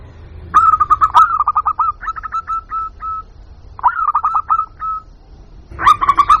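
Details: A local zebra dove lure call aimed at wild birds: quick stuttering series of clipped cooing notes that trail off, a shorter similar phrase after a pause, and a fresh loud burst at the end.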